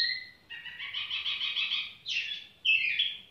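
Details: Tiểu mi bird singing casually: a sustained two-tone whistle, then a buzzy, pulsed warble and two loud descending slurred notes, over faint low background noise.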